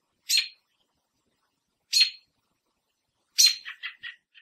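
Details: A female American robin in a Southern Ontario backyard gives harsh, squealing alarm notes about every one and a half seconds from a fence, the last breaking into sharp tut notes, upset at a person too close to her three-egg nest.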